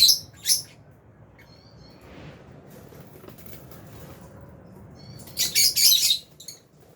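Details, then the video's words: Chirping from albino and Fisher's lovebirds kept in an aviary: two quick shrill notes at the start, then a dense run of overlapping high chirps near the end. "Lovebirds Chirping Sounds"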